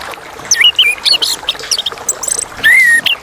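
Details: Chestnut-capped thrush song mixing sharp high descending whistles, quick chirps and twittered notes, closing with a long clear whistle sliding slightly downward and a final high note; low steady hiss in the background.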